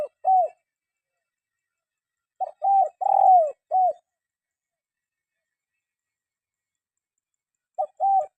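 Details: Spotted dove calling, recorded as a training track for caged birds that are reluctant to sing: short bursts of soft, mellow cooing notes, one group of three to four coos in the middle, separated by long silences, no other sounds.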